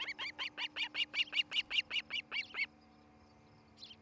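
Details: Osprey calling at its nest in Charlo, Montana, on a nest camera on the morning of 07-11-2018. An insistent series of about thirteen loud, rasping whistled cheeps, evenly spaced and quick, stopping abruptly before a faint last note.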